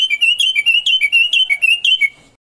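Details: Moroccan common bulbul (Pycnonotus barbatus), locally called al-watwat, on a recording meant to train captive birds to sing: a loud, continuous run of rich, fluty warbled notes, rapidly repeated and rising and dipping, before it ends abruptly.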